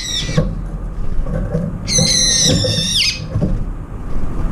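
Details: Brown-eared bulbuls, several together at a feeding spot competing for food. One loud, harsh, descending screech with rich overtones lasts about a second, with fainter calls before it and low rumbling background noise.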